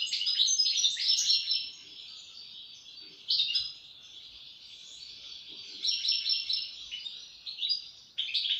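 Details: Lively European goldfinch song of chattering, tinkling notes and buzzy twitters in uneven bursts, loud at the start and end with softer twittering between.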